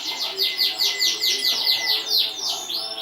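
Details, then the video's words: Champion canary, 2014 contest, repeating crisp down-slurred chirps about every quarter second in a rhythmic trill, ending with a short rising whistle; a thin steady tone runs underneath. "kicau burung kenari juara 2014"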